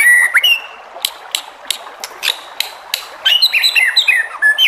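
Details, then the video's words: White-rumped shama song used to provoke other shamas into answering: clear whistled notes, then a run of sharp clicks, then quick varied whistled phrases rising and falling. "MURAI BATU JENIS APAPUN PASTI NYAUT EMOSI DAN GAK BISU LAGI DENGAN SUARA MURAI BATU INI"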